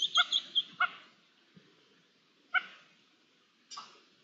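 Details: Wild red-legged partridges, about twelve with two chicks nearby, on 24 June 2022, in ambient sound: a burst of harsh, nasal clucking notes, then single calls after pauses.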